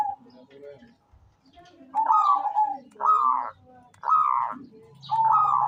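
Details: Local zebra dove calling often, meant as lure audio: a series of short rising-then-falling cooing phrases, about one per second, each stuttered at the start, with faint low murmuring between them.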